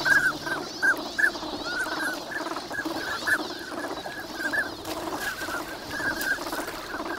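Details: A wintering migratory duck flock at Nagahama, Lake Inawashiro, Japan, in the morning in fine weather, chatters with many short whistled and reedy calls overlapping at a quick, uneven pace over soft water and wind noise.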